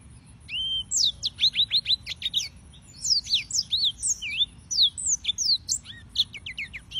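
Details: Song of the yellow-fronted canary (Serinus mozambicus): after a brief pause, a fast steady stream of high whistled down-slurred notes, sweet and varied, continuing for several seconds without a break.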